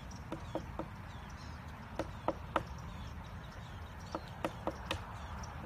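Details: At Cedar Point Park a pileated woodpecker works on a bat house. It makes irregular hollow knocks on wood, some doubled, with pauses between bursts, against a constant low-pitched hum.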